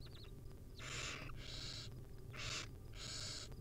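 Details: Wild barn owl nestlings begging from their feeding mother: four close, harsh hissing screeches in quick pairs, each about half a second, with a soft low hum beneath.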